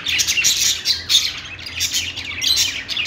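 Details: Short burst of pet-store budgie chatter: bright, rapid twittering chirps from several birds, densely layered and continuous.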